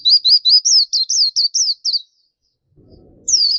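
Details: Gacor masteran song of a black-capped white-eye: nine quick, evenly paced high notes, each bending up and down, then silence and the start of a new descending phrase.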